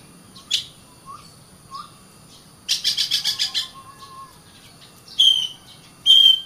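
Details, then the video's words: Kacer (Oriental magpie-robin) singing a varied phrase: sharp chips, soft low whistles, a quick burst of about six rasping notes, then bright, clear high whistles. "Kacer Bird Singing"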